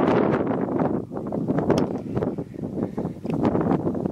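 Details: Loud gusting wind buffets the microphone outdoors in mountain country, with rumbling rustles and no animal calls heard.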